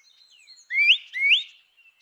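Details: Grey-winged blackbird singing two loud, rising whistled notes in quick succession, each sweeping upward, preceded by soft thin high notes.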